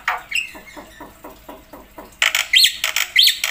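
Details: Black-winged myna giving 'gacor' song packed with 'isian' phrases, meant as master and lure material: soft rapid clicking pulses, then loud harsh, noisy squawks broken by two bright whistled upslurs.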